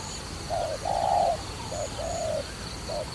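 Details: Trapping dove coos loudly, a short note followed by a long humming note, then a softer repeat of the same pattern.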